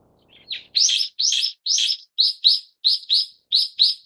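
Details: Brown-eared bulbul of the subspecies harterti with three loud harsh rasping notes, then a run of paired sharp squeaky notes at a steady pace.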